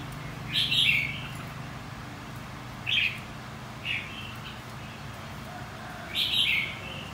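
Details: Red-whiskered bulbul song from contest-singing training of white-cheeked birds: short bright whistled bursts spaced one to three seconds apart, the first and last fuller and warbling, the middle ones brief and clipped.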